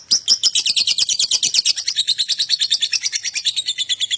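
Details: Lovebird ngekek, the rapid chatter used to prompt other lovebirds to sing: a loud, continuous, high-pitched trill of buzzy clicks, roughly eight to nine per second, slightly falling in pitch toward the end.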